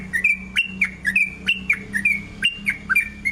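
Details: Sooty-headed bulbul lure song in the long 'ropel' style: clear whistled notes that jump up then dip, repeated roughly once a second over a steady low electrical hum.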